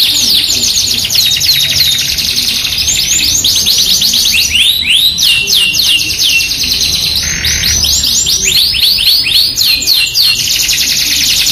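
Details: Strongly singing Yorkshire canary used as a masteran, alongside an AF canary with luxurious cengkok style: fast high rolling trills, clusters of swooping notes and a low rasping phrase around seven seconds.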